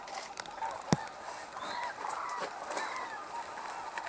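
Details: A flock of Hooded and White-naped Cranes at Arasaki Crane Center, Kyushu, Japan, in a rare snowy landscape keeps up a steady clamour of overlapping honking, trumpeting calls, with a sharp knock near the start.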